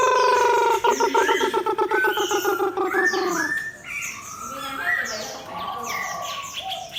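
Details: Chinese hwamei kept in a cage and paired against a fighting bird. It opens with a rapid, evenly spaced train of rich, ringing notes, then shifts into varied whistled phrases and high chirps.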